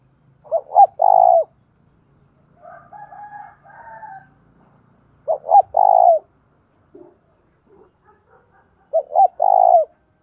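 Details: Decoy spotted dove cooing to draw in wild doves, repeating its three-part phrase three times about four seconds apart, each ending in a long, low, steady note. Faint higher bird whistles and chatter fall between phrases.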